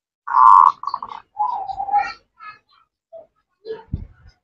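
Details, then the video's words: Female zebra dove calling a male: a few short low coos and a purring phrase, followed by faint scattered sounds. "Perkutut Betina Cerewet Memanggil Jantan, Ngerot,Nretek, Manggung"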